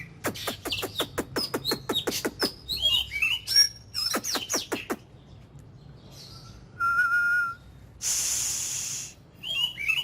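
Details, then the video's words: Oriental magpie-robin, a kept ornamental bird, in 'kích lửa' daily song training: quick series of sharp, clicking notes and short whistles, then a flat held tone and a brief hissing burst. "Chòe than hót,kích lửa.Luyện giọng mỗi ngày"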